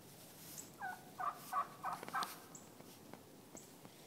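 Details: Wild turkey hens in Missouri calling one another back together to roost before sundown, several walking past nearby; a quick run of about five short, raspy yelps over roughly one and a half seconds, then quiet with faint distant ticks.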